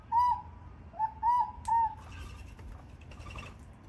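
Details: Australian king parrots at a door, males and females contesting for supremacy; four clear, medium-pitched whistled notes in under two seconds, the second one short, followed by fainter, quieter bird sounds and low background rumble.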